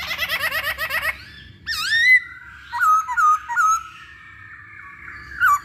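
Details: Masked laughingthrush song used as a lure to provoke other birds into singing: a quick run of harsh, stacked rattling notes, then loud clear whistled phrases that rise and dip, with brief gaps between.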